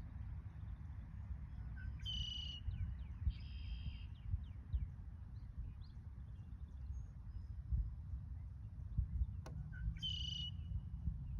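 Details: Red-winged blackbird song: two short buzzy bursts with bright high trilled notes, a few seconds apart, over steady low rumbling background noise.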